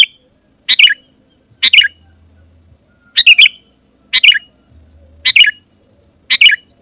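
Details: Energetic Sooty-headed bulbul song meant to draw wild rivals closer: brief gurgling bursts of two or three notes with uneven gaps, plus a faint low hum between phrases.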